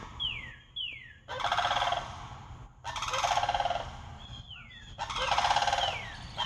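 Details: Group of four sandhill cranes calling loudly while visiting: three bursts of harsh, rolling, trilled bugling, interspersed with high, thin, downslurred whistles.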